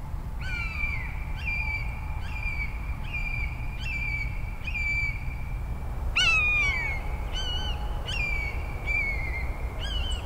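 Common Buzzard giving loud, mewing, slightly falling calls, about one every second in a regular series, over a steady low hum.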